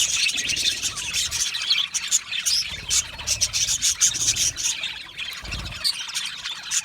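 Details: Many budgies in a colony setting give happy chirps, whistles and chatter, heard as a lively tangle of sharp high notes and twittering phrases, pulsing irregularly, with faint low thuds.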